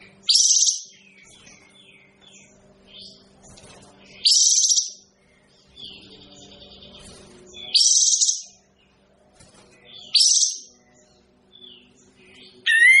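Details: Kapas tembak bird repeating loud harsh, hissing bursts roughly every three seconds, five in all, with softer chirps between them and a low continuous hum underneath.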